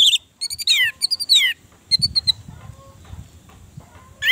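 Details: Orange-headed thrush song played to stimulate a silent kept bird: descending whistled slurs and a fast string of high notes in the first half, then soft scattered sounds and a final rising whistle.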